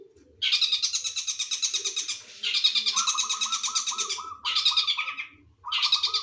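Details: Long-tailed shrike (cendet) song with linked kingfisher-style (tengkek) material: long, dense, rapid rattling trills broken by short pauses, with a run of small descending whistled notes lower down.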